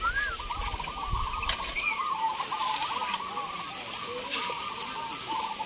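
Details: Many local zebra doves compete in a singing contest at Gantangan Cemeraya, Gunung Kidul, Yogyakarta, Indonesia: overlapping rolling, bubbling coos form a steady mid-pitched chorus, with faint low rumbles early on.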